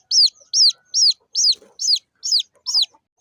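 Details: Small chicken chicks peeping in a brisk, regular run of sharp, high notes. Each note sweeps downward, about seven peeps in three seconds, with a few faint low scuffs between them.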